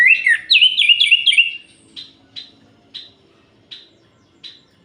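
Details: Orange-headed thrush night song used to stir up rival males, a fast tumbling whistled phrase in the first second and a half, followed by short single chips about every three quarters of a second.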